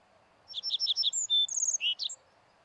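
Little bunting singing one quick, high phrase: a run of sharp ticking notes, then a brisk trill and a buzzy flourish, under two seconds, over a faint low hum.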